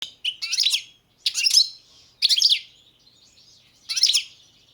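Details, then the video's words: Competition recording of a caged Balkan goldfinch, Carduelis carduelis balcanica, from the 2022 World Championship in Goldfinch Song: bright twittering bursts high in pitch, separated by short pauses, with a faint background buzz between phrases. "Pesma štiglića 005/22 World Championship in Goldfinch Song"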